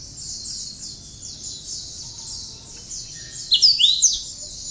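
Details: Cinereous tit with bar-winged prinia notes in its song, recorded for training other songbirds. Near the end comes a brief burst of loud, swooping high whistles, preceded by steady faint repeated high chirps.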